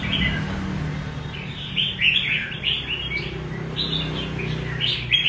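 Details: A red-whiskered bulbul delivers 'rê cầu' style song: a run of quick, clear, chirpy warbled notes, loudest midway, with a constant low background rumble.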